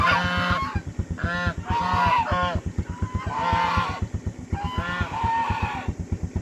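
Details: Goose crying out in fear with clusters of coarse, grating honks separated by pauses, fading toward the end, accompanied by a steady low pulsing rumble.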